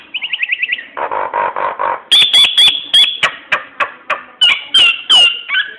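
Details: Nias hill myna singing, used as a lure to set other birds singing. A fast buzzy trill leads into grating harsh bursts, then shrill ringing whistles mixed with sharp clicks and falling whistled slurs.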